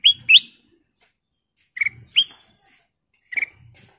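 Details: Golden kutilang bulbul singing a full song for luring and tutoring: a pair of bright upslurred whistles, a pause, then two more clear rising notes, with faint low knocks under them.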